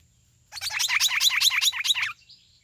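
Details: Green-winged saltator, "treme terra" song style: one loud burst of about two seconds made of quick, repeated slurred notes in a steady rhythm, then silence with a faint high chirp.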